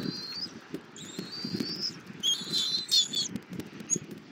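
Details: High piping whistles at a bald eagle nest camera in Southwest Florida, 2024-02-24, during a long breakfast feeding of the eaglet by its mother: drawn-out thin tones, then a cluster of brief quavering notes, with soft low thumping.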